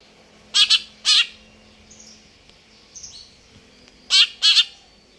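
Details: Greater green leafbird (cucak ijo) singing vigorously (gacor): loud harsh, buzzy double bursts near the start and again near the end, faint chirps between, a low steady hum underneath.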